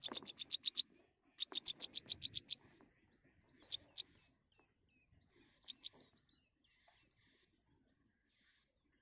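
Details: Baby birds in a nest awaiting food from their mother utter two quick runs of about eight sharp, high chips each, followed by scattered fainter peeps and near silence.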